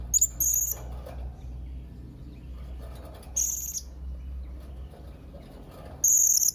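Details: Young blue-crowned hanging parrot calling to rivals: very high, thin, steady whistled notes in short bursts, a pair at the start, one in the middle and one at the end, over low background hum.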